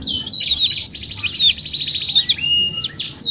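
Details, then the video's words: Canary in full gacor song: sharp high notes lead into a long, rapidly pulsing trill, then a clear level whistle and quick sweeping chirps. "TERAPI KENARI 2 IN 1 GACOR PANJANG | CANARY SINGING"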